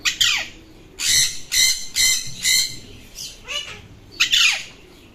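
Alexandrine parakeet giving loud, harsh, raspy squawks in five or six bursts about a second apart, some opening and closing with a falling screech.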